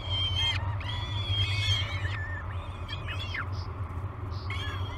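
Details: Peregrine falcon chicks calling at breakfast time on Great Spirit Bluff, 22 May 2020, live cam: long wavering screams break into short downslurred squeals, then one more scream at the end; low hum throughout.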